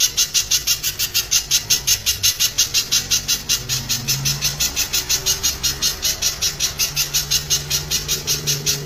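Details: Spiderhunter in a loud training recording for songbirds, sung in the dense 'tembakan rapat' shooting style: sharp, high, bright notes fired in a steady rapid series, nearly three per second, over a faint low hum.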